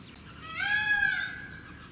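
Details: A California quail at Kono Park small zoo, Saga, Japan, on 20 April 2019, housed with Bengalese finches, gives one drawn-out, nasal call, rising slightly then holding steady for under a second, over a low background hum.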